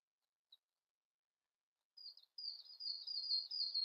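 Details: Siberian blue robin singing softly: an isolated high tick, then thin slurred notes running into a wavering, high continuous warble.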